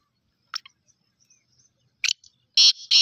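Black francolin giving a few scratchy clicks, then two loud, harsh, grating notes in quick succession near the end; nothing else is audible.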